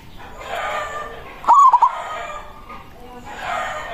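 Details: Local zebra dove with a powerful voice, calling a rival, used as a decoy sound: a single bright phrase of rapid clipped cooing notes in the middle, surrounded by a steady hissy background.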